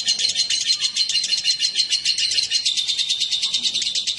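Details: Lovebird pair, male with female, pouring out fast, shrill twittering notes in a dense, pulsing stream that never stops, with a thin sustained whistle-like tone running through it.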